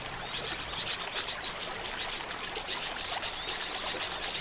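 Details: Oriental white-eye trapping lure: a fast string of tiny high pulses ending in a loud downward-slurred whistle, repeated about every one and a half seconds.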